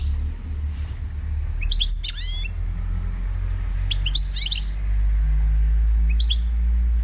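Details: Wild Moroccan European goldfinch song heard in three short bursts of tinkling chips and buzzy rising slurs, separated by gaps of about two seconds, over a steady low rumbling noise.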